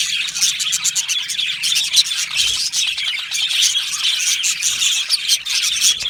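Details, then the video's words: Budgerigars in an aviary colony give a dense, continuous chorus of high, scratchy chirps and warbles. Short rapid notes overlap throughout with no pauses, and many birds call at once. "Budgie parrot chirping sounds"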